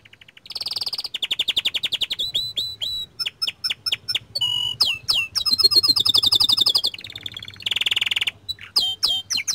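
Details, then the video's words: Long, varied phrase from a lively young canary. Buzzy rolls shift into quick trills of clicking notes, then high rattling runs, a harsh burst and scattered bright chirps, nearly without pause. "Kicauan Burung Kenari Muda Gacor Standart Kecil"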